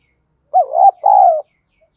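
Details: Spotted dove in the field-voice style, played as a lure to provoke fighting: two mellow, hollow coos, the first dipping and then rising, the second a longer steady note that slides gently down, with a short gap between them and silence around.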